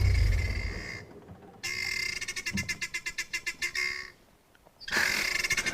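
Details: Guineafowl at Pridelands Conservancy, South Africa, calling while a juvenile martial eagle harasses them and tries to grab one: harsh, grating cackles in a fast rattling burst of about a dozen notes, with low wind or engine rumble at the start.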